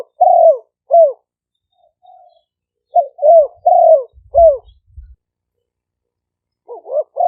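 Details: Spotted doves, two Malay-strain decoy birds, recorded live in Roi Et, Thailand, by smartphone for lure playback. Deep rounded coos in short clusters, a faint low thump near the middle, quiet pauses between.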